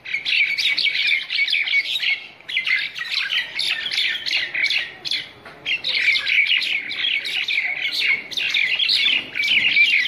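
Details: A group of wild common mynas (Acridotheres tristis) fighting, giving a dense, nonstop chatter of overlapping harsh, screechy squawks and chirps, with only two brief lulls.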